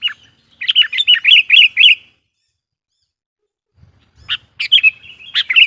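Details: Sooty-headed bulbul lure bird singing to rouse wild bulbuls: a rapid run of bubbly, falling whistled notes for about a second and a half, a quiet gap with faint low thumps, then louder broken chirps and whistles.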